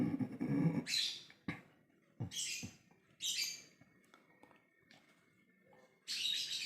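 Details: A lovebird in ngekek mode, calling to others, gives several harsh squawky bursts, with a few sharp clicks and a low rumbling noise early on, and quiet gaps between calls.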